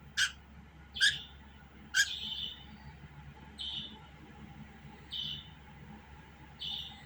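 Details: Budgerigar giving three sharp, bright chirps about a second apart, then softer buzzy chirps spaced roughly one and a half seconds apart, over a steady low hum.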